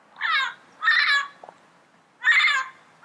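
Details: Yellow-headed parrot in the wild uttering loud, grating squawks, three drawn-out harsh screeches roughly half a second each with a fourth starting at the end, over a quiet background.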